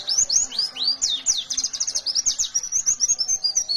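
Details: White-eye (pleci) fighter bird in full gacor song, ngalas nembak style: a fast, high, continuous stream of looping whistled slurs and sharp chips that barely pauses.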